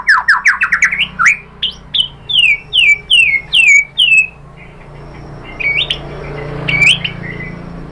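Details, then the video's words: White-rumped shama lure song meant to provoke singing: a rapid rising chirp series, then six loud downslurred whistles evenly spaced about half a second apart, followed by softer scattered notes. "MURAI BATU jadi NYAUT GACOR BONGKAR ISIAN ¦ PANCINGAN MURAI ¦ SHAMA BIRD"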